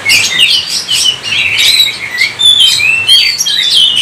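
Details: Energetic magpie-robin (kacer) song, the gacor style meant to make other birds sing: continuous sweet whistles and warbled slides, with no pauses.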